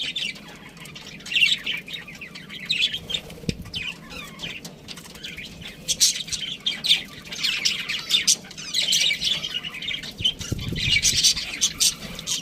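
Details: Budgerigars chirping: dense, continuous high warbling chatter with rapid short chirps and squawky notes overlapping throughout, several birds calling together, faint low thumps in the background.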